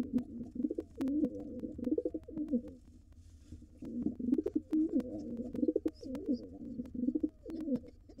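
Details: Wild rock pigeons at a nest box: white male joins gray female with their young nestlings. Low, soft rolling coos repeat in bursts throughout, with short pauses between phrases and a faint room-like hum underneath.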